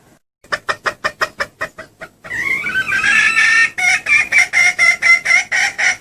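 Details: Hen red junglefowl luring call for attracting males: a string of clipped clucks about twice a second. A thin rising and falling whistled tone joins midway, under a hissy background, while the clucking continues.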